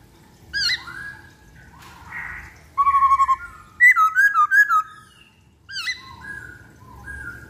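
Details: Black-throated laughingthrush singing, used as a lure: a varied phrase of slurred whistles, a rapid trilled burst, then a string of six loud looping notes and a closing pair of softer whistles.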